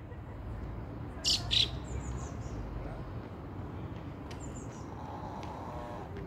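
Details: A fieldfare chick with its family, recorded June 2nd; the recordist believes it is a chick. It gives two quick, harsh, scratchy notes, then a few faint high chirps over a low background rumble.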